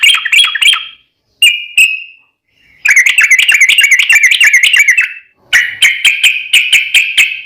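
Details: Yellow-vented bulbul in agitated fighting song, used to provoke other bulbuls: bursts of rapid chattering notes, a brief flat whistle, then a fast wavering series of bubbly notes and a final string of sharp repeated chirps.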